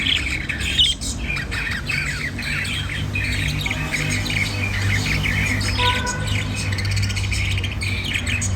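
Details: White diamond budgerigars chatter continuously with scratchy, squawky warbles and short chirps in a bright midrange, over a steady low hum; the sounds are meant to cheer lonely budgies.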